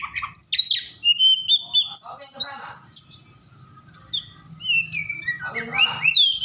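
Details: Oriental magpie-robin (kacer), over-emotional and used to provoke others of its kind to sing: dense mix of harsh chirps, buzzy notes and bright whistles, a short lull, then more scratchy and whistled phrases.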